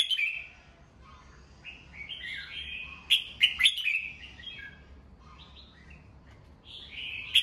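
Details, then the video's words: Caged red-whiskered bulbul in morning song, meant for training birds: rapid chattering and whistled notes, several phrases tumbling together with sharp clicks midway, a louder phrase closing, light low hum beneath. "Chào mào hót sáng, luyện giọng chào mào"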